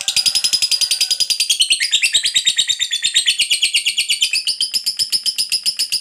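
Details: Lovebird ngekek, a long chatter used to provoke other lovebirds into answering: a dense, continuous, high buzzy trill of rapid pulses that shifts in pitch midway and runs without a break.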